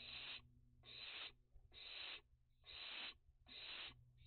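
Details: Young barn owls active at dusk during a heatwave and drought, 29 June 2021: five loud, harsh hissing screeches, each about half a second long, repeated roughly every 0.9 seconds over a low steady hum.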